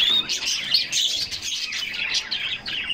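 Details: Bathing canaries in summer produce a short burst of busy high-pitched twittering and quick trills, one thin whistle opening the passage.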